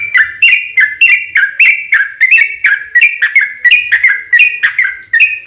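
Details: Long rolling trucuk song used as a lure to prompt other trucuk birds to reply; quick series of bright whistled notes alternating slightly higher and lower, delivered steadily at roughly three per second with no other sounds.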